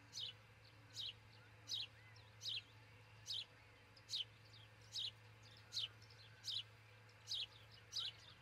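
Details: Osprey pair building a nest near Charlo, Montana, at dawn on June 22, 2018, heard through a nest cam: eleven high, sharp chirps dropping in pitch, repeated about every 0.75 seconds, with a steady background hum.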